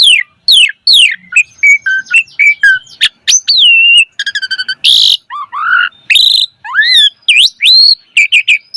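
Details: Javan pied starling in vigorous, rich song as a lure recording for young starlings: repeated falling whistles, a rapid pulsed stutter, a harsh noisy burst, and looping rising whistles, densely packed over about nine seconds.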